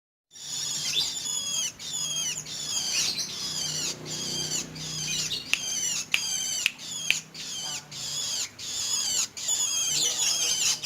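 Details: Long-tailed shrike giving a fast run of high, thin, down-slurred and hooked notes, chattered in dense bursts of about a second with brief gaps between them, over a faint low hum.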